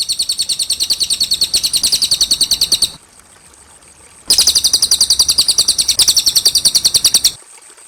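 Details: Cililin masteran sound, clean and clear, for training young caged birds: two long runs of rapid, evenly paced high chirps, roughly three and a half per second, separated by a quiet gap of about a second.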